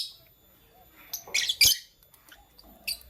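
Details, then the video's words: Lovebirds, a lutino and a blue opaline, calling in the morning: a cluster of harsh, shrill squawks around the middle, then a single sharp high chirp near the end, with quiet gaps between. "Lovebird Singing & Chirping Sounds"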